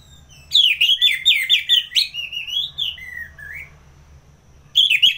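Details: A kept orange-headed thrush in Singaraja, North Bali, sings loud ngeplong song as a tutor and lure for fighter birds: a fast string of repeated whistled phrases flowing into descending slurred warbles, then a fresh burst.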